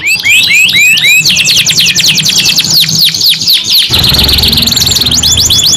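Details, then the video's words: Canary singing long continuous rolls: rapid repeated upward-sweeping whistled notes, then a dense trilled stretch and fast high sweeps, with a low background hum throughout. "KENARI 2 IN 1 GACOR NGEROL PANJANG CENGKOK MEWAH ISTIMEWA | CANARY SINGING"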